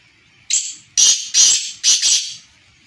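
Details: A captive black francolin gives a loud, harsh, grating phrase of five rasping notes over about two seconds, the last two run close together.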